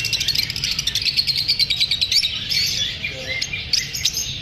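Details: Rapid staccato chirps from lovebirds unsettled by filming, about three sharp notes a second over a continuous high-pitched chatter.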